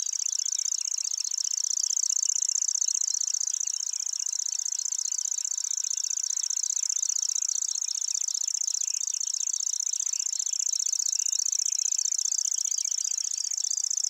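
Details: Lanceolated warbler singing at Wakka Primeval Flower Garden, Hokkaido, reeling somewhat longer than usual there: a high, dry, insect-like trill that runs steadily without a break for the whole passage.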